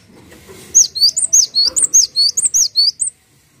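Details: Gelatik watu, or cinereous tit, singing tirelessly for tutoring other birds: a lively phrase of about twelve high, slurred whistles, evenly paced, against a quiet background.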